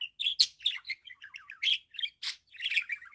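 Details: Budgerigar call from a pet bird: lively warbling chatter mixing whistled chirps, descending squeaks and a few harsh rasping bursts in quick succession.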